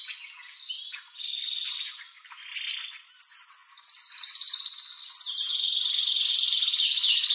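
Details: Male canary singing excitedly to encourage mating. Scattered sharp calls and chips open, then a steady fast high trill sets in and drops into a loud, even, lower rolling tour.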